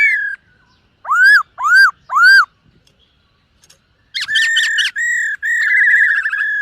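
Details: Silver-eared laughingthrush in morning voice training, singing while dancing: three loud arched whistles, a pause, then a fast jumble of buzzy, overtone-rich whistled phrases held at a steady pitch.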